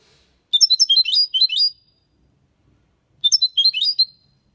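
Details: European goldfinch performing the Málaga copy song, intended to stimulate young birds to sing. Two separate phrases of quick, bright, jangling twittered notes, each about a second long, divided by a silence of about one and a half seconds.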